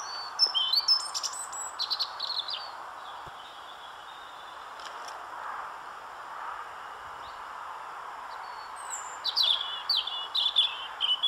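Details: European robin singing: a burst of high, thin, twittering phrases at the start, then a quiet pause over steady low background hiss, before a fresh run of sharp, varied notes near the end.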